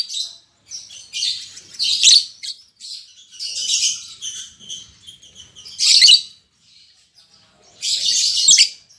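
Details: Caged lovebirds, a newly matched albino MM male and lutino MM female, chatter in uneven high, scratchy bursts over nine seconds, louder outbursts recurring every couple of seconds.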